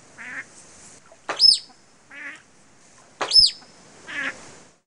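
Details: A captive musk duck gives three nasal, harmonic imitations of Pacific black duck quacks, about two seconds apart, during the male's mate-advertising display; 1987 recording, between two loud rushing bursts with a thin high whistle.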